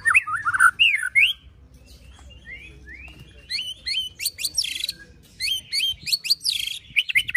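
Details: White-rumped shama, a kept songbird, singing a varied song: rising and falling whistled phrases, then sharp chirps and bursts of harsh buzzy notes repeated rapidly.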